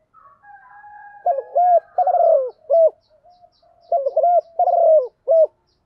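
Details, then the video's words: Decoy spotted dove cooing to call a flock, one-ending style; a faint drawn-out lead-in, then two bursts of low, mellow hooked coos with a rough, trilled middle note, ending each phrase on a short coo. "tiếng chim cu đất gáy gọi bầy, chim cu gáy gọi một hậu, cu gáy mồi chiêu bổi"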